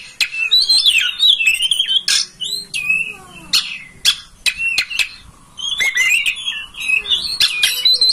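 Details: Oriental magpie-robin (kacer) master song used to provoke a kept bird into opening its tail and singing: loud varied whistled phrases, sharp rising and falling notes, and harsh clicks in quick succession with short pauses.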